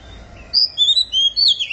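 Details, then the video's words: Oriental magpie-robin at the beginning of singing season, giving a quick string of four or five clear, high, thin whistles, each short and slightly sliding, after a brief quiet start. "Chích Choè Than Bắt Đầu Vào Vụ Hót Như Xé Vải"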